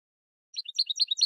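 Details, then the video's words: Goldfinch song: after a short silence, a quick burst of bright, tinkling twittered notes jumbled together in high-pitched chirps, with no other sounds. "Goldfinch Song"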